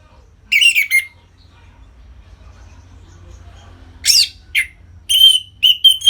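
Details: Orange-headed thrush song in 'ngeplong' style, aimed at bringing captive birds into breeding condition: a short whistled phrase, a long silence, then scratchy notes followed by thin, level whistles.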